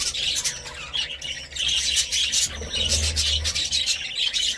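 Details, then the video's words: Lively budgerigar twittering: rapid scratchy chirps and warbles repeated without pause, with a low hum around the middle. "Budgie Sounds"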